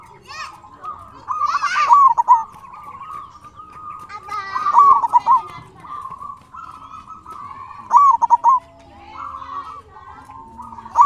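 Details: Local zebra dove song used as a lure to provoke other doves into answering: a steady purring coo line broken by bright trilled bursts roughly every three seconds, with faint overlapping voices.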